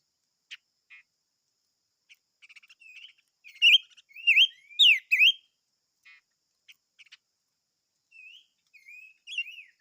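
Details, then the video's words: Silver-eared mesia song: scattered soft chirps, then a loud burst of three bright, slurred whistles in the middle, followed by quieter twittering notes near the end, with silence between phrases. "Chim Ngũ Sắc Hót - tiếng chim ngũ sắc hót"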